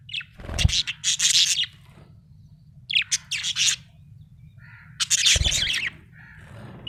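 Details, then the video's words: Budgerigar chirping happily: three loud bursts of buzzy, high chattering chirps spaced roughly two seconds apart, soft whistled notes between, a low thump at the start of some bursts and a steady hum. "Happy budgie chirping sound"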